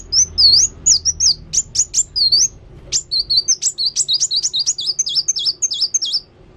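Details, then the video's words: Actively singing sunbird (kolibri wulung) delivering quick, high-pitched chirps: first downslurred V-shaped whistles, then a run of sharp rising notes and bouncy repeated dips, fairly steady and continuous throughout. "Kolibri Wulung Gacor"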